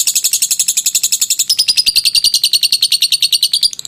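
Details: Lovebird in a long ngekek trill, a clear recording used for training: rapid high chattering notes, about three to four per second, shrill and even, dropping into a slightly lower, buzzier run halfway through.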